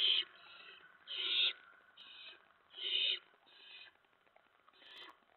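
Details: Owlets at their nest in the early hours of 10 September 2017, fed mice and a rat, pouncing around; a run of rasping hisses, loud ones alternating with softer shorter ones, about six in five seconds.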